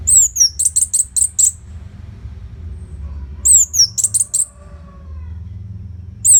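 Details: Orange-headed thrush in energetic uninterrupted song for training fighter birds: a high downslurred whistle followed by a quick row of about five clipped chips, the pattern repeated after a pause, over faint low rumble.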